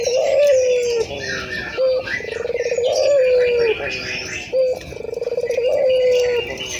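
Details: Local ringed turtle dove cooing, used to stimulate other doves to coo: low, steady drawn-out coos, each followed by a quick rolling burr, repeating in a regular cycle roughly every two seconds, with faint higher chirps of other birds behind.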